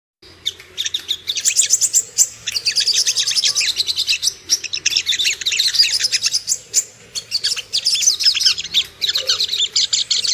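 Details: Ruby-cheeked sunbird lure track meant to make birds aroused and aggressive: dense, rapid high-pitched twittering and sharp chirps in continuous overlapping bursts, with a few brief pauses.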